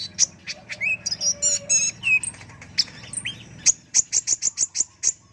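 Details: High, thin song from a kolibri ninja sunbird recorded as a training tutor: varied whistled slurs and chips, then a steady series of sharp, evenly repeated high notes toward the end.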